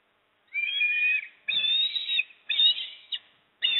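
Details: Osprey at the nest at Port Lincoln, 26 September 2024, as the father arrives with a fish and the mother eats: loud, whistled, slightly buzzy calls in near-even series, about one per second, each with an emphatic ending note.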